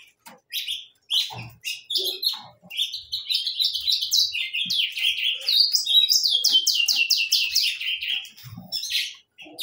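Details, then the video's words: Several saffron finches in song, scattered sharp chips that build into quick rhythmic series of down-slurred notes, nearly two per second, then trail off. "gorriones pecho amarillo cantando"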